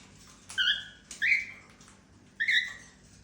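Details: Female cockatiel making happy sounds: three short, slightly upslurred chirping whistles spaced about a second apart, softer and rougher in tone, with light background hiss.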